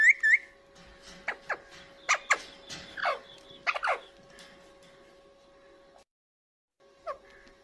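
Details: A talking Indian ringneck (Alexandrine) parrot eating green chili gives a pair of bright whistled notes, then a run of sharp, falling squawks about a second apart, over a steady background hum.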